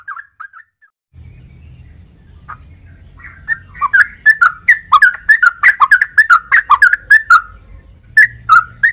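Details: Yellow-vented bulbul giving a few soft whistles, then a low background hum begins and the bird builds into a fast, chattering stream of mellow, up-and-down whistled notes, pausing briefly before resuming.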